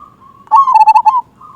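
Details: Zebra dove of a local strain with a big 'kung' voice, used as a lure to stir other doves to sing. A brief burst of a few quick, rolling, mid-pitched coo notes drops slightly in pitch.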